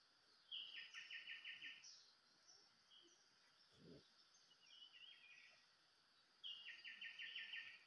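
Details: White-rumped shama used as a decoy bird for luring, giving faint whistled phrases around short rapid trilled bursts near the start and end, with quieter notes between and a steady background hiss.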